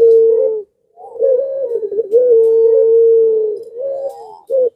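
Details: Puter dove of the pelung style in breeding condition, prompting other doves nearby to call: long deep coos, partly wavering and partly smooth and level, running almost continuously with a short final burst.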